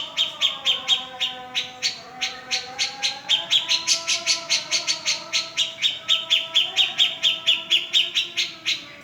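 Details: Sustained cica jenggot song, described as making silent birds sing at once: a long, quick series of bright high chirps, about two per second, with a softer underlying hum.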